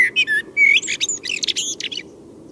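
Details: A Common Blackbird in central Russia, singing at night after midnight, gives a short phrase of mellow, fluted whistles ending in a quick, high twittering flourish, over a faint low background hum.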